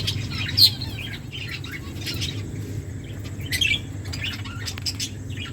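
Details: Finches in an aviary chirp in short, high, scattered notes, with a loud sharp chirp near the start and another burst after three seconds, over a steady low hum.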